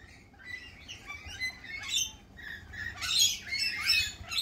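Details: Lorikeets at a cafe in spring give high, screechy chattering calls in quick uneven bursts, with a louder shrill cluster toward the end and a faint low hum beneath.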